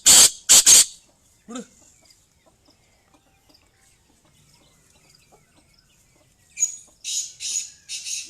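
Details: Female black francolin: three loud harsh blasts at the start, a quiet gap with a faint note, then a run of four raspy, breathy bursts.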